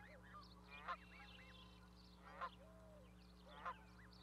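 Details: On a Charlo, Montana osprey nest platform in May 2020, a goose sits with its goslings; three brief harsh honks spaced over a second apart, surrounded by chirping songbirds and a constant low hum.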